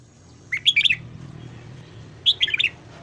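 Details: Red-whiskered bulbul morning song used for voice training: two short, bright phrases of four or five quick, warbled notes, about two seconds apart, over a faint low hum.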